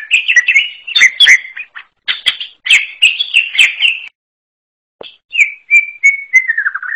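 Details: Greater green leafbird with a lively chattering song of mixed chirps and sharp ticks. After a pause it gives a thin descending series of whistled notes.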